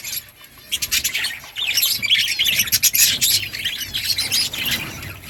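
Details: Budgies chatter almost continuously in dense, high, buzzy warbling, rapid clicks and squeaks about four per second, rising in intensity after the first second and staying busy throughout.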